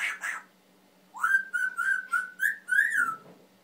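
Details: Pet Timneh African grey parrot, a male known for mimicking words and sounds, gives a rough double squawk, then a whistled phrase of six linked notes held at a steady pitch.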